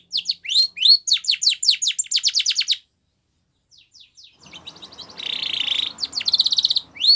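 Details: Spanish Timbrado canary, white, in training song for young canaries: quick rhythmic descending notes, a short silence, soft notes, then a buzzy rattle and fast trills.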